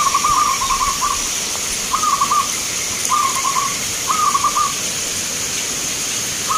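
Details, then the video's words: Zebra dove song at a local perkutut contest in Magelang, Indonesia: rolling trilled coo phrases about a second apart, each a quick burst of beaded notes, steady background hiss. "Perkutut Lokal gacoran Vs irama"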